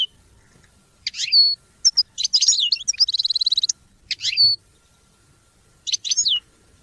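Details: Goldfinch song intended to support song development, with spaced bursts of high twittering chirps and one rapid, rattling trill near the middle, separated by short silences.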